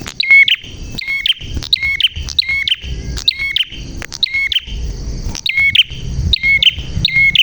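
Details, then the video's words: Prenjak (prinia) song described as clear and loud, for training young wild-caught birds: sharp repeated chirps with hooked upper notes, about twice per second, over a steady high ringing tone and low background rumble. "Burung Prenjak Gacor Suara JERNIH"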